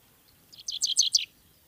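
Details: A Dickcissel near Cincinnati, Ohio, gives a quick burst of five high, dry, down-slurred chips, each dropping sharply in pitch, all within under a second. The background is quiet.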